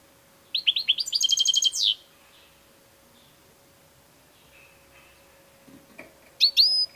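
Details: European goldfinch song: a quick burst of bright twittering notes, then a fast run of about ten evenly repeated chips, a long pause, and another brief high twitter, over a faint steady hum.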